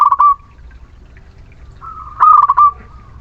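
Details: Muria local zebra dove song used to coax lazy birds into singing. One phrase is cut off at the start, then a quiet coo swells into a second loud burst of quick stammered notes ending in a long tone.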